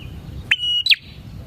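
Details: Single phrase from a bar-winged prinia's lively song, used as a lure for prinias: a straight whistle ending in a sharp downward note, over soft low background noise.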